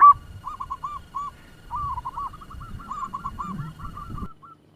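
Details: Local zebra dove lure bird with a fast song: one loud opening note, then softer runs of quick, slightly hooked coos, partly masked by low rumbling background noise.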